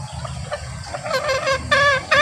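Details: Male green junglefowl crowing, used to lure wild junglefowl when hunting or to make captive birds crow back: hoarse, harmonic rising notes that grow louder toward the end, over a low background rumble.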